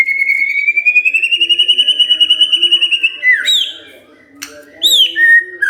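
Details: White-rumped shama stirred up and answering within three minutes of being provoked: a long, slightly rising whistled note with a fast tremolo for about three seconds, then sharp downslurred whistles and clicking notes.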